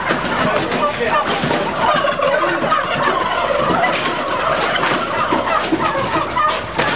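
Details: Turkeys in an intensive farming shed, 2010, many birds calling at once in a dense, continuous chorus of overlapping chirps, yelps and gobbling notes over steady broadband barn noise.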